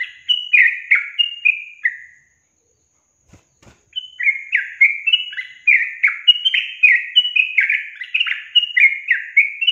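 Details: Sooty-headed bulbul song meant to stir caged birds into singing: chattering, bubbly downslurred whistles, a brief pause with two faint clicks, then a longer dense run of the same phrases.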